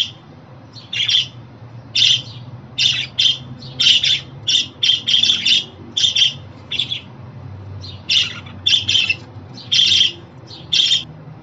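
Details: Budgerigar giving harsh, high chirps and squawks in quick irregular bursts.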